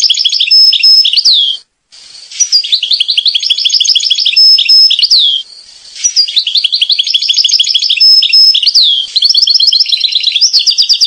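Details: A European goldfinch from Corsica sings a fast, liquid twittering song of tinkling notes and buzzy trills, the bright phrases running almost without pause, with one brief break.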